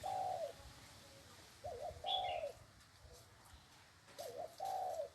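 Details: Low, mellow coos from a leg-chained spotted dove, each a quick double note then a drawn-out tone, spaced about two seconds apart; a thin high chirp from another bird is heard once.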